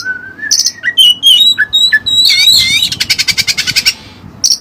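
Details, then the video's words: Oriental magpie-robin (kacer) with learned Cililin material: a rising whistled slide, fast tumbling high phrases, then a rapid even trill of about a dozen buzzy pulses before a final short note. "Burung Kacer Isian Cililin"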